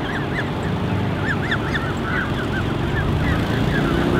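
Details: Creche of more than 30 Canada goose goslings, counted at 34, gathered by two adults, recorded 13 June 2015: many overlapping thin, arched peeps repeated rapidly. A steady low rumble runs underneath.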